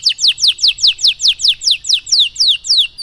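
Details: Training song for young canaries: a clear, loud canary trill of high downward-slurred whistled notes, repeated rhythmically about four times per second with no other sounds.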